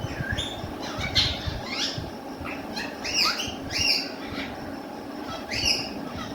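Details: Caged rose-ringed parakeet said to talk in Urdu or Hindi: sharp, rising and falling squawky calls, several clustered around one second and others spread through, against a steady broadband hiss.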